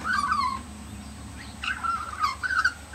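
Australian magpie warbling in rich, gurgling, flute-like phrases that slide downward, a pause, then a longer burbling run; a faint steady high hiss underneath.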